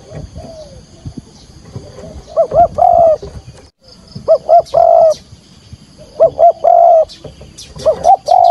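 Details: Decoy spotted dove calling to draw wild doves toward a trap, full 'gọi thúc gù' in field voice: one soft coo, then three bouts about two seconds apart, each of two quick short notes and a longer mellow coo, with a faint high hum.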